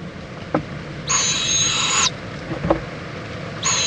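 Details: Owl at a nest in Indiantown, Florida, late morning of February 26, 2014, as a mother checks on her owlet and joins it for preening; two harsh, hissing screeches about one second long with a thin whistled overtone, plus faint clicks.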